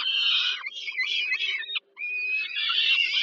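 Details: Peregrine falcon nestlings screaming for food while the mother feeds them supper, Żerań power plant, Warsaw, Poland, 15 July 2022: loud harsh wheezing cries, one brief pause, then steady grating screeching resumes.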